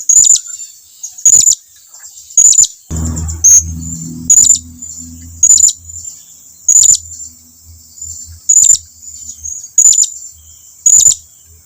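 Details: Blue-crowned hanging parrot calling its companions to come nearer: evenly spaced single shrill, high notes about every second, with a low rumbling hum through the middle.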